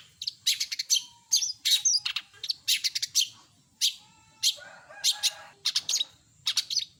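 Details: Cendet, the long-tailed shrike, delivering borrowed song phrases: clustered high metallic chips and looping whistles in quick bursts, one lower raspy trill near the end, separated by short pauses.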